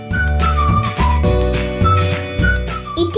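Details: Instrumental music plays throughout, with a steady low beat and a sliding, flute-like melody that rises and falls, and no animal voice.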